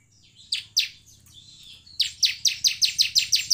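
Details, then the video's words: Bar-winged prinia, semi style, used as a lure recording to get birds singing: two sharp high chips, a thin wavering pause, then a fast even rattle of eight buzzy notes over a low electrical hum. "pancingan ciblek semi agar bunyi."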